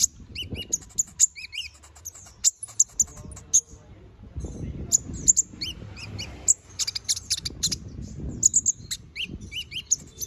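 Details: Canary in full 'gacor ngobra' song, a recording meant for tutoring magpie robins: rapid high chirps and paired upslurred notes repeat in quick bursts, with low murmuring background noise between phrases.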